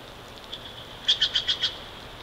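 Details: Bald eagle at the Big Bear Valley nest, captured from a live stream on the morning of 29 March 2023. A few faint notes lead into five loud, high, piping chitters in quick succession over constant hiss.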